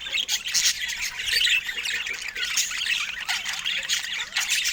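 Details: Pet budgerigars chatter in a steady stream: rasping squawks, quick chirps and twittering warbles overlapping throughout.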